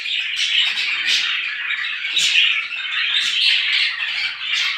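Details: Many small birds chirping together in the morning, a dense, continuous chatter of overlapping high, sharp notes with louder bursts about every second.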